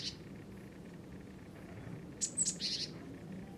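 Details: A Eurasian tree sparrow perched on a power line, on alert and perhaps threatening a rival, gives a quick burst of three or four sharp, high chirps in under a second over a low, steady rumble.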